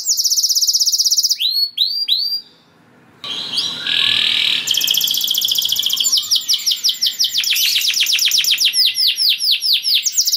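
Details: Vigorous canary song intended to trigger breeding mood in other canaries: a high rolling trill, a few swooping notes, a brief gap, a buzzy phrase, then a long run of rapid falling notes.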